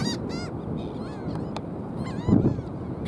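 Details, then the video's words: Black skimmers at South Padre Island on 5 April 2023: a few short nasal, arched barking notes in quick bursts, partly masked by steady low wind or surf rumble. "Black Skimmer calling"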